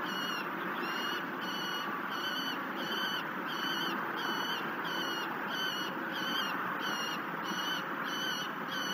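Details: Begging calls of a peregrine falcon chick being fed at its cliff nest overlooking the Mississippi River near La Crescent, Minnesota, July 2019 evening: thin, ringing harmonic squeals repeated about every second and a half over constant broadband hiss.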